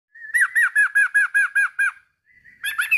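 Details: Male sooty-headed bulbul calling a rival: eight quick, evenly spaced downslurred chirps in a steady run, then a short pause and a brighter, busier burst of notes at the end.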